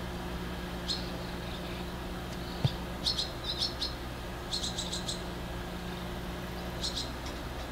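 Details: Very young barn swallows perched on an electric cable give short, high twittering chirps in loose bursts, some in quick clustered runs, over a steady low hum of traffic.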